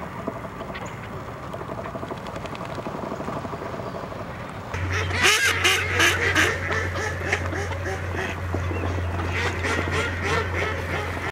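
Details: American black ducks, swimming with a pintail-mallard hybrid, give harsh, rapid quacks in a burst of about six, over a steady low hum and background rustle.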